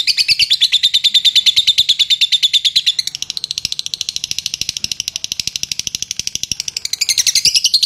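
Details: A contest-champion lovebird delivers latah-style song, a fast pulsed high chatter that softens for a few seconds in the middle, then swells and rises again at the end.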